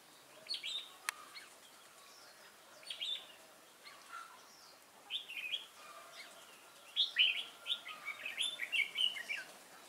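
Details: Newly caught wild red-whiskered bulbul singing in a contest on 22 October 2018: sparse chirps at first, building to a fast lively run of rich warbled whistles in the last three seconds, plus one sharp tap early on.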